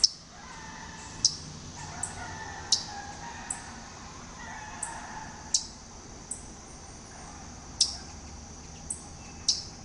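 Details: Waterthrush, most likely Louisiana waterthrush, in a front yard at Talking Rock, Georgia, two birds seen scooching across the ground: sharp metallic chip notes, about eight spaced irregularly every second or so, over soft background hiss.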